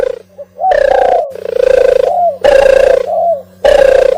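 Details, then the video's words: Raspy, drawn-out coo notes from an oriental turtle dove, each about half a second to a second long, linked by brief falling slurred notes, low hum in the background. "صوت القمري المهاجر - الترغل"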